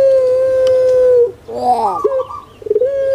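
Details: Puter pelung collared dove kept as a pet: one sustained, flat, hollow coo fades down, followed by a throaty, warbling gerruk burst and the start of another steady drawn-out note.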